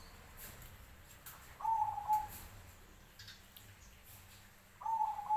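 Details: Zebra dove of the black cemani type, singing in answer to other zebra doves; two short bursts of soft, level, slightly wavering cooing notes, one near two seconds and one near five seconds, over faint steady background hiss.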